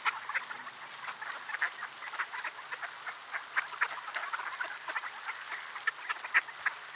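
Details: Crowd of ducks in freezing weather, Sainte-Adele, Quebec, 10 December 2019, mid-afternoon; a steady babble of short raspy quacks overlaps throughout, some calls louder and nearer than the rest.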